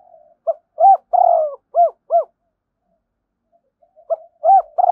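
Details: Spotted dove coo for decoying wild doves: a quick pip, a hoot, a long mellow coo and two short rounded notes, a pause, then the phrase starting again.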